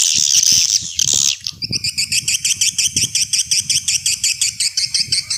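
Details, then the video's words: Swiftlet call sound in an old-style recording used as a lure to attract swiftlets: harsh, noisy bursts at the start, then a fast, steady train of sharp, high, clicking chirps, about two per second, with a faint low rumble beneath. "Suara Panggil Walet SUPER JADUL"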